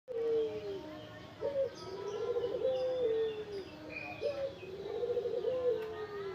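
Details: Tame local spotted dove giving its cooing song: low, mellow phrases near 500, each opening with a short rising note and then a rolling, slightly descending coo, repeated about every three seconds, with faint chirps of other small birds behind.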